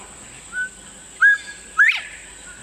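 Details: A Northern Bobwhite in Texas whistles a soft lead-in note, then a clear flat note and a loud, sharply rising final one, the familiar 'bob-WHITE', a whistle that carries nearly a quarter mile across open fields.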